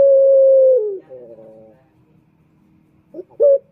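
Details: Male turtle dove, voiced as a lure for males: the tail of a long, level, low coo falls away, then a soft rolling murmur and a short clipped note follow.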